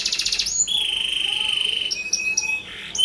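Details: Canary singing as a lure to set other canaries off: fast buzzy high trills, then long steady whistled notes around the upper register, switching abruptly between note types with short varied phrases.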